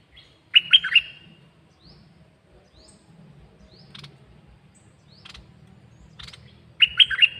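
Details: Short, sharp trios of bright whistled notes from a caged bird open and close the stretch, with quiet dry ticking and faint rising chirps scattered in between.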